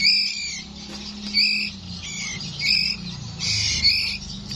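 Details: Nine-day-old white-rumped shama chick from Borneo giving high, harsh, screechy calls in bursts about every second and a half, over a steady low hum.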